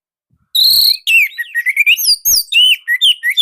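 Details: Orange-headed thrush from Indonesia, a loud, tight-phrased singer: a rapid, unbroken run of varied whistles, slurred chirps and quick rising and falling notes, bright and high, lasting about three seconds after a brief silence.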